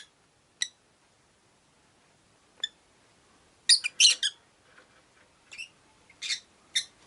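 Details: Rosy-faced lovebirds, five birds kept in a cage by a window, calling: sharp shrill chirps scattered irregularly, single notes and quick doublets, with a short burst of harsh overlapping squeaks mid-way, against near-silence.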